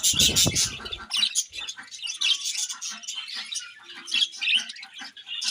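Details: A loud low thump opens this stretch, then budgerigars at morning feeding carry on with brisk high chirping, chattering warbles and short squawks.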